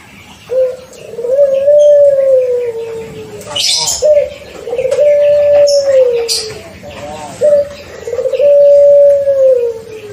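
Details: Six-month-old pelung-type Barbary dove, paired early to stimulate calling, gives three long coos: a short rising opening note, then a drawn-out steady hum that slowly falls away, spaced about three seconds apart, with faint clicks between.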